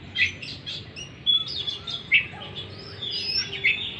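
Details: Oriental magpie-robin lure song meant to restart a stressed bird's singing: scattered thin whistles, short sharp chips and a rising slurred note, fairly soft, over steady low background noise.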